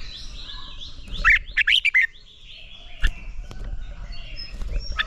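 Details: Red-whiskered bulbul singing a training song for stimulating young males to a fierce competition song. Opens with a rapid cluster of five bright warbled notes, then faint high background tones, a few clicks and low rumble.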